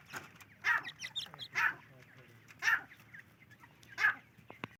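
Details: Grey francolin (teetar) calling with harsh, ringing notes repeated roughly once a second, with fainter chattering between and a quiet background.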